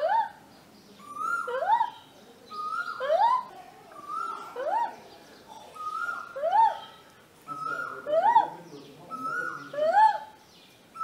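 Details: Male Asian koel at a home in Vidhya Nagar, Hassan, India, during the breeding season, answering a person; loud rising koo-Ooo whistles repeated roughly every one and a half seconds in a steady series.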